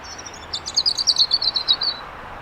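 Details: A European robin at Elmley Nature Reserve, Kent, on 12 October 2025 sings one short phrase of high, thin, tinkling notes, quick and varied, lasting about a second and a half over a faint outdoor hush.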